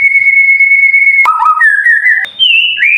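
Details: White-rumped shama tutor song used to train silent birds, described as sharp, long-rolling and clear: a long steady high whistle, then a lower wavering note and stepped, clear whistles jumping between pitches.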